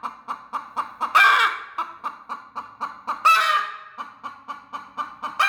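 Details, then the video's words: Broody hen, aggressive and protective over her eggs, gives rapid clipped clucks about four per second with two sudden shrill, raspy screeches in between. "Angry Chicken Mama Protecting her eggs | Mughi making noises Aggressive chicken"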